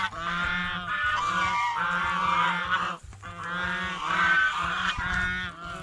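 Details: Goose honks repeatedly at a fish pond while eating bread and fresh vegetables, long harsh trumpeting calls run almost continuously, broken by one brief pause near the middle, with low background rumble.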